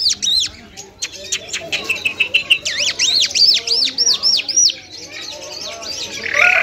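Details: Mashadi lunda lark in full song, Afghani type: loud, high, swooping whistled notes repeated about three per second, with sharp clicks and varied twitters, ending in a rough, noisy burst.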